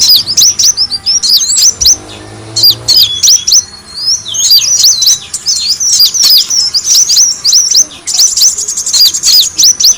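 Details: Van Hasselt's sunbird calls used as a lure to draw in birds: long run of shrill, squeaky chirps and quick zigzag notes, fast and busy, with one brief quieter gap early on.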